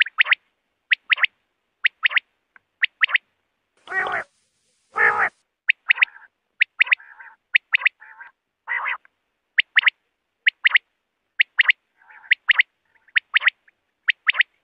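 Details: Common quail (batair) sound played at night to lure quail for hunting: sharp clipped notes in quick pairs and triplets, mixed with nasal buzzy bursts, with two louder rasping bursts midway.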